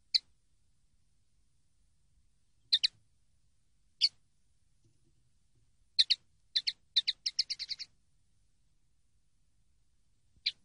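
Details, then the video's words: Common linnet song from a song-training CD: scattered dry, high twittering notes, then a quick rapid burst of chattering notes near the end, with silent gaps between phrases and no other sounds. "CD CANTE DE PARDILLO 123"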